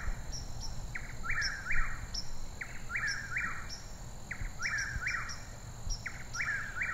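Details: Bird chirping: short bright sharp chirps given in pairs and small groups throughout, with faint high ticks above them, over a steady low rumble of background noise.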